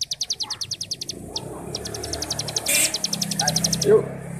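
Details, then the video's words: Starling 'ngebrem' song used to train young birds: rapid high chips in bursts with brief breaks, a short noisy hiss in the middle, and a low murmur of background noise. "Masteran Burung Cigun Ngebrem||Pancingan Cigun Muda Agar cepat bunyi dan gacor"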